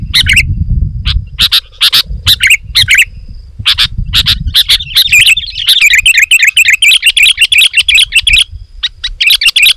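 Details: Sooty-headed bulbul; song; lures wild bulbuls, which become agitated and approach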